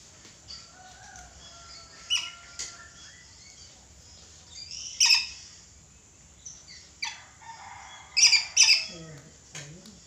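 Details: Red lory calling busily: scattered short rasping screeches, a loud burst midway and a close pair of shrieks near the end, set among level whistled notes of other birds.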